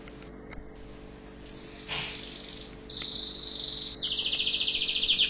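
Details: Tunisian orange canary singing: a few thin high notes, then long, very high buzzy trills and rolls, each lasting about a second, against a steady background hiss.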